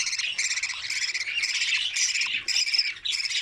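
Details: Budgerigar nestlings in an open nest at feeding time, giving short rasping bursts roughly every half second, each a scratchy, buzzy cluster of notes.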